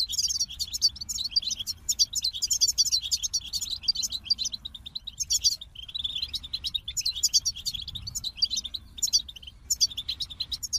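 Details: Goldfinch singing a long, rambling string of high tinkling notes and rapid trills, with short breaks near the middle and end before the twittering resumes.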